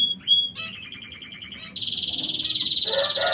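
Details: King quails kept in an aviary: a short high whistle, then a steady run of rapid, buzzy repeated notes at an even pitch, several per second, with chatter underneath.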